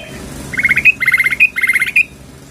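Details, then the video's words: Female sooty-headed bulbul calling the male: three quick bursts of harsh, squawky chattering notes around mid-high pitch, each burst ending in a sharper upward note, over a faint low background hum. "SUARA BURUNG TRUCUKAN BETINA MEMANGGIL JANTAN"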